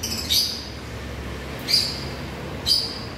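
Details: Three sharp, high squeaky chirps from African lovebirds, spaced roughly a second apart against a quiet, low background rumble.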